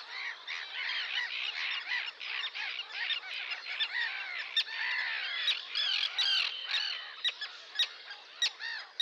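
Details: Sandwich terns calling together in a noisy crowd: overlapping harsh, scratchy squawks with frequent sharp clicking notes cutting through.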